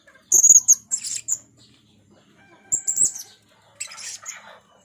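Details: Red-speckled Blue-crowned hanging parrot, female serindit calling gocor-style as a trapping lure; thin high whistled squeaks and harsh twittering bursts separated by short pauses, with a soft tonal hum in the background.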